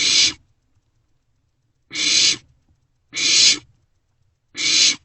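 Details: Barn owlets in a nest box at night on 27 March 2024 passing a meal back and forth; four rough hissing calls, a long pause after the first, then regular bursts.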